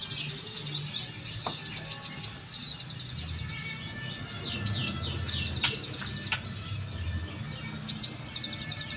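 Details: Brown-throated sunbird in the ombyokan singing style, recorded as therapy audio; high, rapid chittering trills and twittering phrases run almost continuously, over a low, pulsing musical hum.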